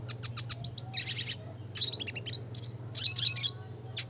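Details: Classic red siskin training song, a fast run of high sharp chips followed by buzzy twittered phrases, continuous through the few seconds, with a faint low hum underneath.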